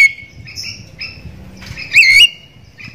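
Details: Javan myna lure call meant to set other mynas calling: thin level whistles and rasps, then one loud wavering whistle rising and falling near the end.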